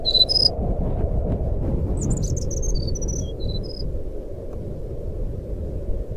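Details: Jungle flycatcher fluting, used as a lure to prompt a silent bird to sing: a short opening whistle, then a run of separate high clear notes stepping downward, all over a loud continuous low rumble.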